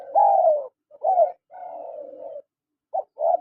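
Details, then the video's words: Spotted doves, male and female, calling: a loud mellow coo with a falling tail, then shorter coos and a long, steady, softer hum. Notes are low and soft, with short silences between phrases and no other sounds. "SUARA PANGGILAN TEKUKUR JANTAN DAN TEKUKUR BETINA"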